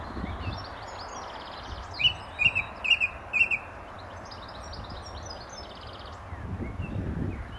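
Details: British Song Thrush, male, singing near a gravel pit in St Albans in May 2012: a burst of four loud repeated sharp whistled notes, framed by thin higher chattering trills, with soft rumbling noise throughout.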